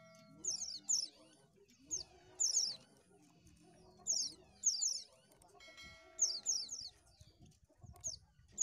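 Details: Oriental white-eye lure recording with clustered high, falling thin notes, often two or three in quick succession, repeated through nearly nine seconds, plus faint low clucks and rustles.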